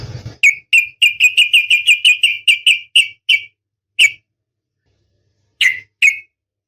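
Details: A female oriental magpie-robin in breeding condition calls the male with a fast series of a dozen high, sharp chipping notes slowing toward the end, followed by isolated single chips after a pause.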